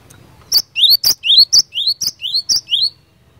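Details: Fighter-style song of a cinereous tit, used to provoke rivals into replying: about nine notes alternating crisp high clicks with rising slurred whistles, delivered rapidly and evenly over three seconds.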